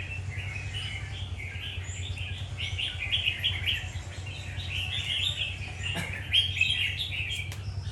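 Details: Warrior red-whiskered bulbul producing continuous bright warbled chirps in running phrases, with a couple of sharp clicks and a constant low droning hum in the background.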